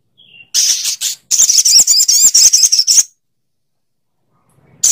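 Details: Sogok ontong bird giving a rapid burst of harsh, high, scratchy notes, around four per second for about two seconds, then silence and a further loud note.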